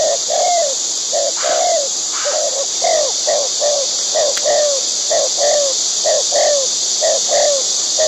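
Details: While feeding chicks, a wild white-breasted waterhen repeats low, hoarse notes that drop in pitch, some short and some drawn out, in an uneven rhythm. A constant high-pitched hiss runs behind them.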